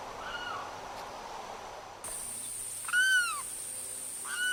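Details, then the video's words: Florida limpkin, known for screaming calls especially from breeding males, giving a faint early cry and then a clear arched wail near three seconds, followed by another starting at the end, while a thin high steady tone runs through the second half. "Limpkin The Calls and Sounds of Florida's Loudest Bird"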